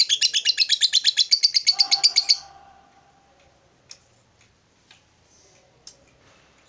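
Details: Lovebird calling to rivals with a long chattering trill: fast, even, high-pitched notes run for about two seconds, then stop, leaving near silence with a few faint clicks.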